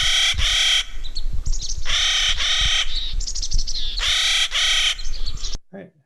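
Clark's Nutcracker giving harsh, grating, nasal calls in close pairs, repeated about every two seconds, with softer chattering notes between and faint room noise.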